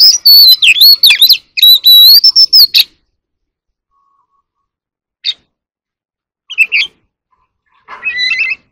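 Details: Oriental magpie-robin kept as an ornamental bird, singing and dancing in a competitive singing bout: a rapid run of sweet whistles and sharp chips for about three seconds, then silence broken by a few scattered short notes.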